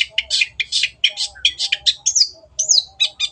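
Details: Long-tailed shrike in full voice, a fast chattering string of scratchy high notes mixed with squeaky rising and falling slurs, almost without pause.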